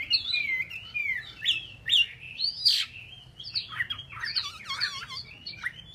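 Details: Chinese hwamei, kept as a cage bird in Vietnam, delivers varied whistled phrases with sweeping upslurs and downslurs, some harsh buzzy notes mixed in, continuous and rich in tone.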